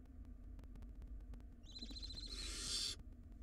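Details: Wild barn owl nestling in a nest box during a tug-of-war over a large rodent: a wavering, quavering tonal call that swells into a loud harsh hiss before cutting off, low hum behind.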